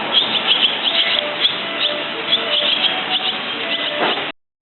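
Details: Barn swallow uttering scattered bright chirps and brief twittering runs for about four seconds before the sound cuts off abruptly.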